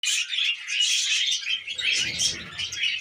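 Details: Several pet budgerigars eating wheat germ, producing a dense, continuous chatter of high chirps and warbles with no pauses, and soft low rustling in the second half.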